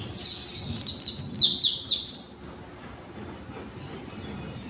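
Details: Young white-eye learning to arrange its song: a brisk string of high, falling slurred notes for two seconds, then quiet, a faint level whistle, and a final note.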